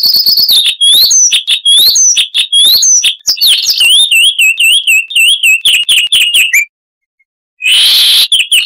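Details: Chestnut-vented warbler pouring out a loud, crystal-type song: dense, bubbling twists of whistled notes and rapid chips for over six seconds, a short gap, then a rough burst.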